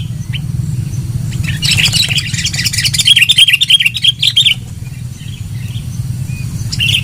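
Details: Sooty-headed bulbul song used as a lure: after a quiet start, a dense burst of rapid looping whistled notes lasting about three seconds, then fading to scattered chirps over low hum.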